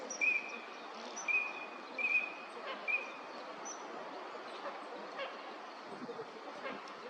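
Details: Eurasian teal (Anas crecca) in a park pond, Chiba, Japan, February, a wintering visitor, giving short, clear, piping 'krick' whistles, five in about three seconds, some doubled, over a steady low hum.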